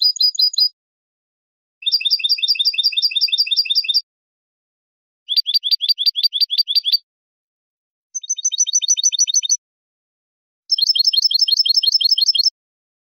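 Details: Hammered 'bibleo' phrases from a European goldfinch: five quick bursts of sharp, evenly repeated high chirps, each lasting one to two seconds with clean silent gaps between.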